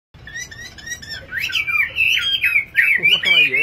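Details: Singing nightingale: a rapid run of bright slurred whistles and sweeping high notes, growing louder, with a man's voice breaking in near the end.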